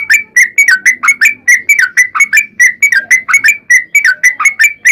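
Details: Long rapid-fire 'ropel panjang' singing from a sooty-headed bulbul, played as a lure to provoke bulbuls into answering: fast, repeated, slurred whistled notes in an unbroken chain, with a faint low hum behind.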